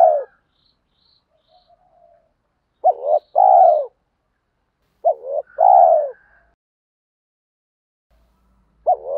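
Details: Repeated spotted dove cooing, with male and female birds featured, played to stimulate newly caught doves in training: paired phrases roughly every two and a half seconds, each a brief rising note, then a drawn-out falling coo, in quiet surroundings.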